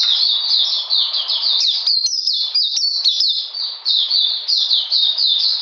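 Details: On a cold, rainy 13 June 2020, an Oriental magpie-robin under deworming treatment delivers an unbroken stream of bright, high chirps, each slurring downward, tumbling quickly one after another.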